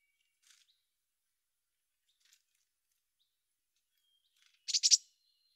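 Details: Mountain chickadee: a few faint, scattered high ticks, then near the end two loud, harsh buzzy notes in quick succession, very high-pitched, over a silent background.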